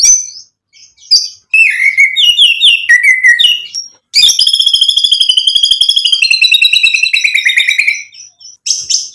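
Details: White-rumped shama in full song, used to provoke other shamas into singing: loud varied whistled phrases and twitters, then a long fast run of repeated harsh ringing notes, roughly two per second or faster, before fresh whistles.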